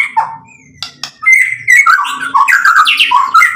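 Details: White-rumped shama singing to stir up other birds: a few scattered whistles and sharp notes, then a dense, loud burst of fast, varied whistled and chattering phrases.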